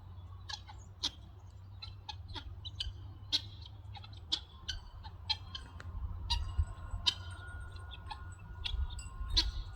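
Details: Several guineafowl foraging for food in a yard give harsh, rasping, clipped notes in an irregular chatter, several every second, over a steady low rumble.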